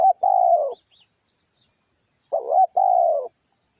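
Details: Spotted dove lure song with two close cooing phrases, each a short wavering note then a longer steady coo that falls slightly at the end; a few faint chirps in the quiet gap.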